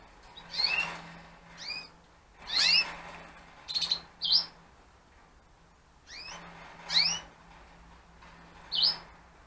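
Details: Chirping from Gloster canary breeding pairs set up for 2015: repeated groups of high, rising, whistled chirps, some doubled in quick succession, arriving in two clusters with short silences between and a faint background hum.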